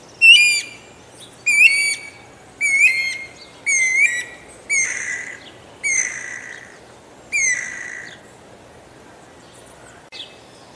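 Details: Guira cuckoo singing a steady run of eight loud whistled notes, about one per second, each with a quick upward hook then a held tone, later notes growing longer and breathier before a final faint note.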